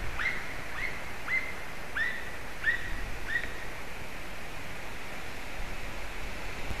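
White-tailed eagle giving a series of six short, high yelping notes about half a second apart, then stopping, over steady low wind rumble.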